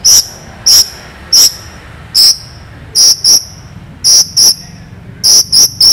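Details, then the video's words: Long-tailed shrike giving sharp, long, clear shots from a song full of imitations: piercing high whistles, single or in quick pairs and triples, repeated about every half second to second. "CENDET GACOR FULL ISIAN ASLI SULTAN LAGU MEWAH TEMBAKAN TAJAM PANJANG JERNIH"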